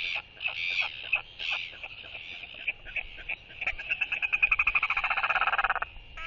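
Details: At a breeding colony on 14 January 2023, a male royal albatross incubating an egg on his nest skycalls in greeting to a returning banded bird beside him: harsh nasal notes, then a two-second braying rattle, over soft wind.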